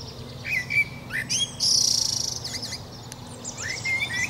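Common blackbird giving short whistled notes, squeaky high twitters and a fast rattling trill over about four seconds, with a faint low background hum.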